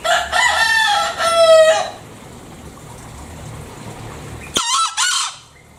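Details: Crowing fowl in a Bali green junglefowl recording: first a long drawn-out harmonic crow lasting about two seconds, then after a pause a short harsh two-part crow.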